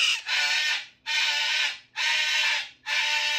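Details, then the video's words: Moluccan and Goffin's cockatoos kept as pets scream together at random, four long harsh grating screams of nearly a second each separated by brief pauses, loud and noisy across a wide band. "Cockatoo drama (volume alert) - Moluccan and goffins scream together"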